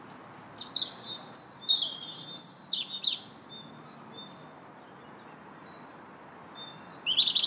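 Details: Robin singing in a park on 2 March: high, thin, tumbling warbled phrases with sharp rising and falling notes, a pause filled by a steady series of short repeated notes from another bird, then the warbling resumes.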